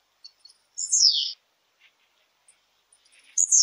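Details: Blue-black grassquit singing one of its song types: a short high buzzy phrase sliding downward, delivered twice about two and a half seconds apart, with faint ticks between in a quiet setting.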